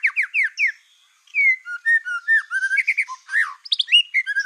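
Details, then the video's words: Black-tailed white-rumped shama singing to provoke other shamas; quick falling chirps, a pause, then flowing mid-pitched whistles and squeaky high notes in varied phrases. "PANCINGAN MURAI BATU EKOR HITAM GACOR, SEKALI DENGAR AMPUH BIKIN MURAI APAPUN LANGSUNG EMOSI"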